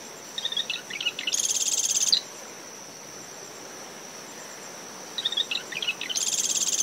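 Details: Marsh wren by its nest in dune shrubs, SMNWR, early morning with brisk post-storm wind: two songs about four seconds apart, each of ticking notes followed by an intense grating buzz, while a cricket trills steadily and waves wash in.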